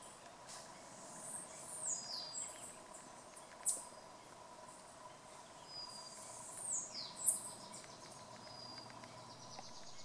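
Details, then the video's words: Puerto Rican bullfinch (Loxigilla portoricensis), a Puerto Rico endemic of forested areas, giving two phrases of high, slurred whistles about five seconds apart, over a steady insect drone. "Comeñame (Loxigilla portoricensis) Puerto Rican Bullfinch"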